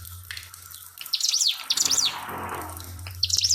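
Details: Pied fantail song with trickling water in the background: quick high zigzag chirps in two short bursts and a final brief phrase, with a low steady hum beneath.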